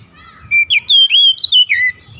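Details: Oriental magpie-robin song meant as therapy for a stressed caged bird: one rich phrase of clear whistled notes, rising and falling slurs in quick succession over about a second and a half, faint low hum beneath.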